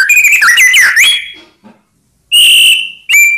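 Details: White-rumped shama song to draw answers from rival birds: a warbled sliding phrase, a pause, then a steady loud whistle and a short repeat.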